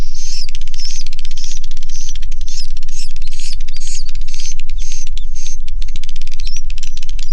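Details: Inside a swiftlet house, a crowd of swiftlets gives overlapping scratchy twitters and rapid clicking trains in a steady, pulsing rhythm, backed by a constant low drone.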